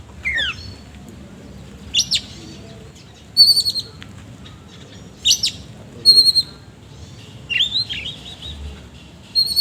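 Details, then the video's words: Oriental magpie-robin singing loudly with harsh filler notes, kept bird: short bursts of sharp high chirps and buzzy trills separated by pauses of a second or more, faint low hum beneath. "BURUNG KACER GACOR NGOBRA ISIAN KASAR"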